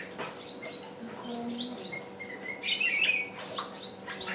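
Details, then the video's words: Decoy bird calling on and on to draw in wild birds that stay away; quick high chirps come in clustered bursts, some with short lower whistled notes, over a faint constant hum. "Chim mồi kêu mãi mà bổi vẫn không vào"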